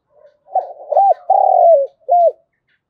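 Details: Spotted dove used as a decoy, calling in the morning to attract wild doves: a soft lead-in, two quick arched coos, a long sustained falling coo, then a final arched note.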